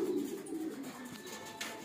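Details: Kept pigeons at their loft: a brief low coo opens the clip, then fades into quieter murmuring and light background rustling.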